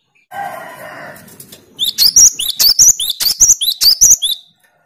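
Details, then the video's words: Cinereous tit 'tembakan' song aimed at unsettling rival birds: a low harmonic crowing sound first, then about ten shrill, rising whistled notes in a fast, even string. "Tembakan burung Gelatik Batu paling joss melatih mental lawan"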